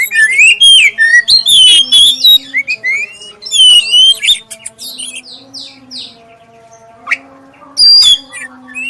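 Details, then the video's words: A black-breasted oriental magpie-robin sings clearly to prompt others of its kind: dense runs of whistled, slurred notes and chattering chirps, fading to softer scattered notes, then a final loud burst, with a steady background hum. "suara pancingan kacer dada hitam suara jernih"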